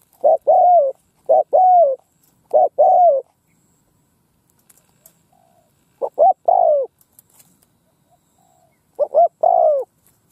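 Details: Spotted dove decoy calling in a Vietnamese field to attract wild birds: soft triple coos, two short and one long descending, delivered in clusters with silent stretches between.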